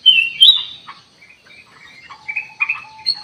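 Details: Ruby-throated bulbul song used as a lure to draw a quick response from other birds: high chirped and whistled phrases, first loud and slurred, then sparser, scattered notes with a few short pauses.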